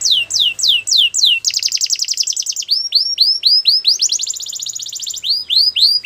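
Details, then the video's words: Canary song used for training birds: a string of downward-curving whistled notes, then a rapid pulsing trill, repeated arched chirps and another fast trill before the slurred notes return, all loud and clean. "Best canary sounds!! Suitable for canary training"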